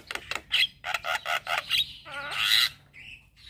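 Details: Male Javan myna singing in the morning, kept as a lure and tutor song for training other mynas: a rapid run of harsh, chattering notes, then a lower buzzy rasp and a short whistled phrase.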